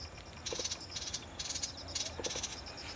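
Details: A thick-billed warbler in southern China, 2 September 2018, gives its harsh, dry chattering ground call, about five short rasping bursts in three seconds, over a faint low background hum.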